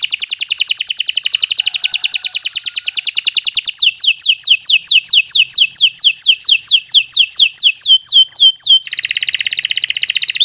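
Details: Canary singing long and without a break, recorded as a master for other birds to learn: an extended rapid rattling trill, then a steady series of falling whistled notes, finishing with a dense fast buzzy trill.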